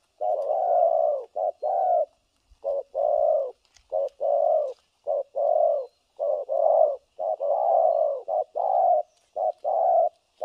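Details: Spotted dove used to lure others into a trap, cooing continuously in the thổ cấn sấm nước style, low hollow paired notes, a short one before a longer one, repeated steadily with tiny gaps.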